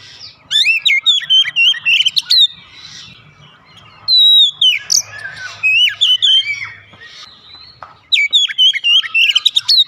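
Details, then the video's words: Oriental magpie-robin (kacer) in rapid gacor-style song: three bursts of quick, varied whistles and chattering notes, each burst about two seconds long and separated by short pauses. "Kacer macet bunyi cepat gacor"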